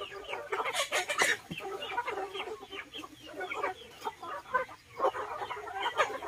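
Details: Mixed flock of chickens and ducks eating in a garden in Vietnam: steady overlapping clucking and murmured calls from many hens, short rapid notes running continuously with occasional sharper squawks.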